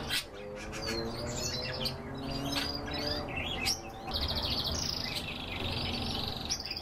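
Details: Kept canaries singing: varied chirps and quick high trills, with a sustained buzzy rolling trill in the second half, over constant room noise and a low steady hum.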